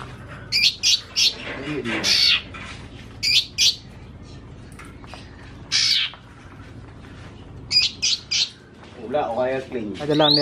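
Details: Young captive greater green leafbird, still spotted, with white patches on wings and tail, sings short bursts of bright, sharp chattering and whistled phrases a second or two apart, reportedly including mimicry of other birds, while a man talks.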